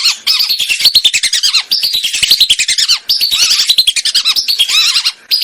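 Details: Hunting lure of lesser whistling duck from Indonesia, with near-continuous rapid whistling. Quick high notes run roughly ten a second, grouped into phrases that end with downward-curving whistles, with barely any pause.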